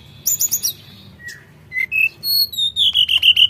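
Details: Busy singing from a Sooty-headed bulbul: a few rapid high ticks, a falling whistle, then clear level piping notes, ending in a quick, evenly spaced series of bright chirps.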